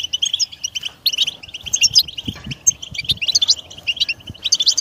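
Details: European goldfinch singing a rapid twittering song of tinkling, buzzy notes, mostly high and continuous, with occasional low thuds in the background.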